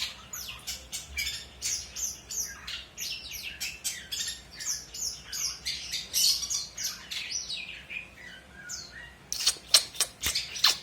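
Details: Long-tailed shrike singing steadily, offered as a model for teaching other birds: quick, harsh, squawky notes and chatters running for about nine seconds, ending in a burst of sharp, rapid clicks.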